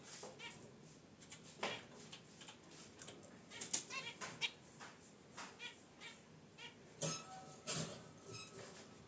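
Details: Caged zebra finches by a wicker basket nest keep up a steady chatter of short nasal beeps and chirps, sometimes overlapping, with brief rustles and flutters of movement in the cage.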